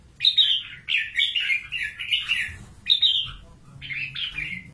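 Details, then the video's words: Red-whiskered bulbul, a carefully selected trapped fighting bird from Cao Bằng, Vietnam, delivering quick bright warbled phrases that slur up and down, with a short pause mid-clip before two more lively phrases. "CHÀO MÀO BẪY ĐẤU VIP CAO BẰNG"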